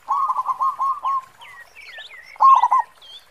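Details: Local zebra dove with a big 'khong' voice, used to lure: a steady string of six or seven pulsing coos, a pause with other birds' squeaky whistles, then one loud rolled burst.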